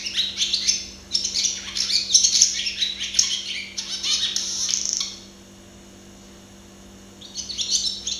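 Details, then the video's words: Close-range song of a barn swallow (Hirundo rustica): some five seconds of dense, high-pitched twittering and scratchy chirps, a two-second silence, then the warbling chatter starts again; low steady hum in the background. "Canto de golodrina - Song of barn swallow - Canto da andorinha-das-chaminés"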